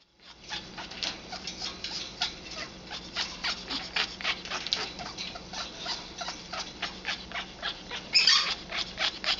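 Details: Congo African grey parrot, an 11-year-old female, in hormonal mating behaviour, producing a rapid, uneven stream of dry clicking pulses through most of the recording, with a louder burst near the end.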